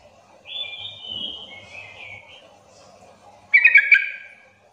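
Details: Yellow-vented bulbul lure for prompting other bulbuls to answer: a long thin whistled note sliding downward, then a burst of rapid chattering notes near the end.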